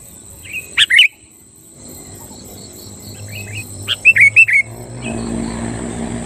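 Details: Brief song from a sooty-headed bulbul, used to stir rival bulbuls into singing: a quick pair of liquid notes, a pause, then four rapid rising whistles, over a faint high whine and low background murmur.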